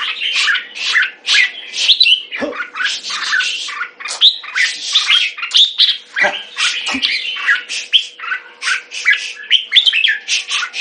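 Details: Kept red-whiskered bulbul pouring out a long, unbroken chatter of harsh, varied notes with scattered whistled slurs, rhythmic pulses several per second, a faint hum beneath.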